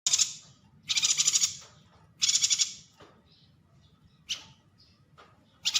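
A yuhina gives harsh, rasping chatter in half-second bursts about every second, with short scratchy notes between them over a faint low hum.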